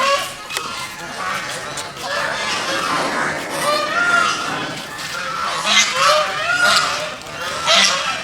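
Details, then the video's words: Geese on a pond keep up steady, busy noise: many short rising nasal honks and chattering notes overlapping throughout, a little louder toward the end. "Goose Sounds ।। Goose Call । Goose birds swimming and making noise in the pond."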